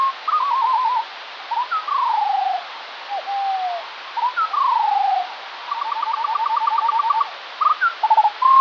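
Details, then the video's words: Eurasian skylark song recorded in the morning, possibly more than one bird, played slowed down: drawn-out descending slurred whistles, short sliding notes and a rapid run of repeated trill-like pulses, over steady hiss. "Skylark - but slower"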